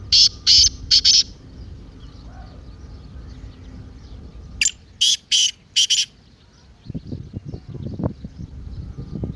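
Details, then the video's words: Partridge call meant to get a silent partridge calling. Two groups of loud, harsh, rasping notes come a few seconds apart. Low rumbling background noise follows at the end. "تیتر کی مستی والی آواز:اب خاموش تیتر بھی بولے گا"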